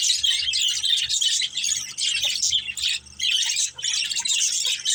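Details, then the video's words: A budgie family at play chatters in bursts of shrill warbling and squawky chirps, the dense high twitter pausing briefly about every second before resuming. "Beautiful Budgies Chirping Sounds"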